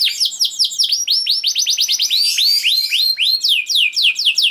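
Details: Kenari in continuous 'gacor' song meant to make other canaries start singing: dense, fast strings of curved, down-sweeping whistled notes, varied in pitch, with barely a pause throughout.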